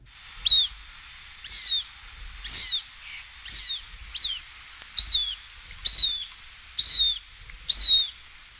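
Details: A Cooper's Hawk from a 1961 eastern/central North American bird-song guide gives eight sharp, high, down-slurred notes, about one per second, against a faint low hiss.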